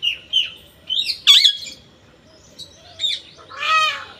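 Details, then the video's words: Varied parrot calls: short whistled notes, a loud raspy squawk, scattered soft chirps, and a final drawn-out nasal, buzzy call. "Raw parrot"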